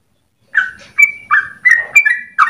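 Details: Yellow-vented Bulbul (trucukan) singing, used as a lure for training other songbirds; a handful of short bubbly whistled phrases after half a second of silence, some rising and some held level.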